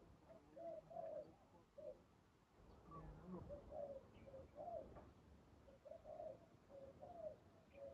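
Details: Spotted dove cooing near a decoy trap: repeated low soft coo notes in uneven groups across eight seconds, with some background rustling and a few faint higher calls.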